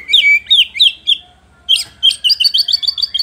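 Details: White-rumped shama singing to provoke rival shamas: four quick falling whistles, a brief pause, then a rapid run of high, repeated chirping notes.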